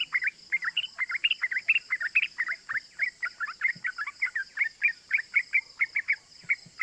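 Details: Rapid, continuous chattering of a sooty-headed bulbul (trucukan) in a 'cuk cuk' lure song used to rouse other bulbuls: short bright chirps, several per second, that step up and down, with a constant high whining hum behind.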